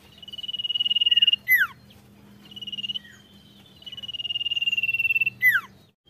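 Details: A sirtu in full voice: buzzy high trills rising in volume, each capped by quick falling whistles, over a faint low hum.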